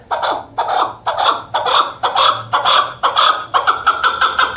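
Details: Female chukar partridge calling, used by hunters: harsh, clucking chuk notes, about two per second, growing slightly quicker and more clipped toward the end.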